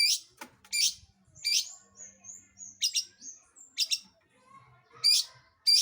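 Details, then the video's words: Long-tailed shrike provoking other birds into singing, loud harsh grating squawks spaced out, with thin high whistled notes sliding between them. "PANCINGAN CENDET GACOR Di Jamin Pasti BUNYI"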